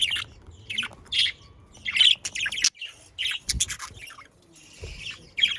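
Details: Pet budgerigars near The Hague, Netherlands: bright, quick chirps and short warbled notes in bursts, with a few low thumps and brief pauses between phrases.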